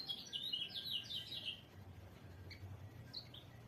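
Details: Pleci, or white-eye, gives a quick burst of high, jumbled twittering notes for about a second and a half, then two or three isolated chirps over a low rumbling background.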